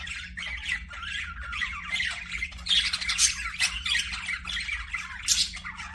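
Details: Budgerigars chattering: a steady stream of raspy warbles with brief whistled squeaks and bursts of harsher squawking.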